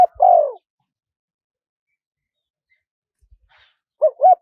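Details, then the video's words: Spotted dove, wild-style calling used to lure wild doves: a long falling coo at the start, then silence, then two short coos at the end. "เสียงนกเขาใหญ่ คารมป่า (เสียงเล็ก) มีขัด มีหนุน คูอ่าง ใช้สำหรับเปิดต่อ ยั่วนกป่าเข้าร่วมเร็ว"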